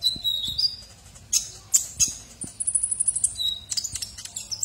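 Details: Sunbird called kolibri ninja, singing as a tutor for oriental magpie-robins or white-rumped shamas; sparse high chirps give way to a fast, very high trill of rapid repeated notes, with faint clicks in the background.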